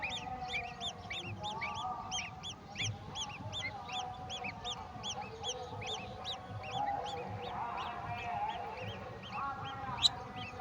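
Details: A golden oriole delivers a mantis to its babies; rows of rapid high chirps fill the first half, then thin out and fade, with a sharp click near the end and low background rumble.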